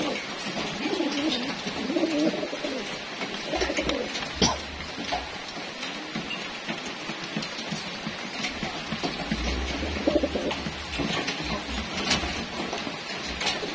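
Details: Racing homing pigeons at their routine feeding time, being fed ahead of next year's races; low, rolling coos from several birds overlap, with scattered coos at times, amid steady broadband rustling, pecking and wing noise.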